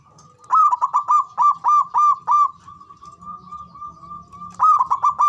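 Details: Male zebra dove in ngoar manggung cooing, used to stimulate mating arousal: a loud rapid run of short, ringing, clipped coos, a pause with a soft held tone, then another fast burst of coos, low hum underneath.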